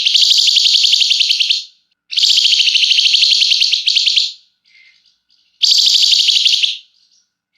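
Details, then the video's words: Flamboyan bird singing long and excitedly, a song used to prompt other birds to sing: long, high, buzzy rattling trills lasting one to two seconds, separated by short pauses with faint soft notes. "Burung Flamboyan GACOR Ngebrenn RAPET PANJANG!! Nyecrett Emosi Cocok Buat Pancingan"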